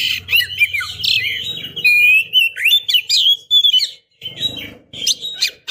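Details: Oriental magpie-robin female calling to a male: a continuous run of loud whistled slurs and chirps with a steady low hum beneath, ending in rougher bursts.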